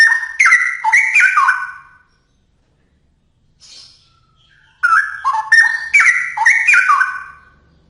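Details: Straw-headed bulbul song used for training songbirds: two loud, rich, gurgling whistled phrases about two seconds long, separated by a pause with a faint soft note, each a rapid jumble of rising and falling notes.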